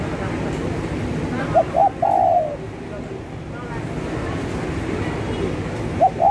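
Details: ['Spotted dove cooing to attract other birds: two short notes, then a prolonged downward-sliding coo, and the opening notes of the next phrase near the end, set against constant low-pitched background noise.']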